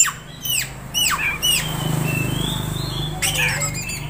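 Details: Young kept Oriental magpie-robin sings three loud, steeply falling whistled notes about half a second apart, a soft rising whistle, then a cluster of quick chattering notes, over a low steady hum.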